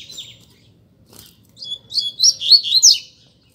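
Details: Two caged Double-collared Seedeaters in a singing contest: a soft opening note and a brief clatter, then a building run of sharp, sweeping whistles and chirps that grows louder toward its close.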